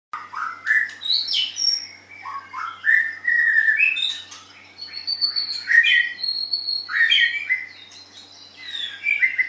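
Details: White-rumped shama, a caged songbird in a singing contest, delivering a varied stream of whistled and rising phrases with quick slurred notes and harsh chips, rich and continuous with brief pauses between bursts.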